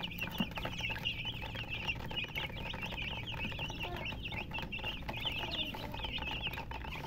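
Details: Chickens giving a fast, continuous run of high chirps, short repeated notes packed closely throughout, over a steady background hiss.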